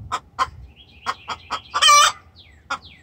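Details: Hen's distress call to the rooster, several sharp clucks building to one loud grating squawk, followed by a last cluck and faint descending bird chirps.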